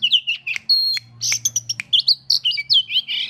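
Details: Oriental magpie-robin, agitated on seeing a rival, sings a rapid, varied string of clear whistled notes and slurred, warbling phrases with a few sharp chips, over a faint low hum and brief speech.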